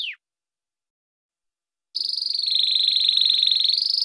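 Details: Canário do reino, the domestic canary Serinus canaria, singing its first song type: one short falling note, a pause of nearly two seconds, then a sustained, buzzy, high trilled tone with a rapid pulse.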